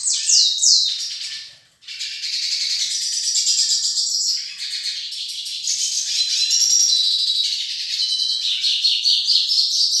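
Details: A pair of hooded siskins of the northeastern Yarrell's form, singing a fast, continuous twittering of high chirps, trills and slurred whistles, dense and bright throughout with a brief pause near two seconds.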